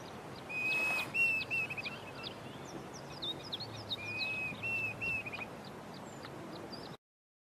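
A Diederik cuckoo gives two bursts of clear, high whistled notes with sharp upslurs, a plaintive 'dee-dee-deederik', about three seconds apart; faint chirps of other birds in the background.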